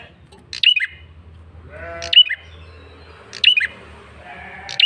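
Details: Male bar-winged prinia calling insistently as a lure: sharp high slurred chips repeated about every one and a half seconds, with a soft harmonic wail and steady low hum in the background.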